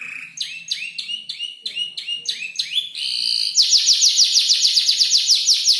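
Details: Young canary, about five months old, arranging borrowed songs: rising upslurred notes repeated, then a fast bright trill of sharp descending notes.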